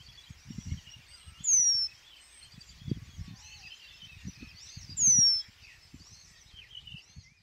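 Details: Two high, thin, downslurred whistles about three and a half seconds apart from a Eurasian penduline tit on spring riverside meadows with willows in Żuławy Wiślane; busy background song of other birds and low rumble.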